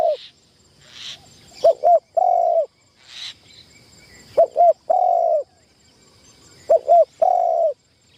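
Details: Spotted dove decoy trained for the first time in a trap enclosure repeats three phrases of two short hoots and a long mellow coo, with faint higher chirps from another bird between phrases.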